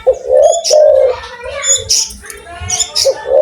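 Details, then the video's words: Spotted dove with a big voice cooing steadily: soft, low, slightly wavering coos run almost continuously, with a final coo rising at the end; thin high chirps from other small birds sound intermittently. "tekukur gacor suara besar"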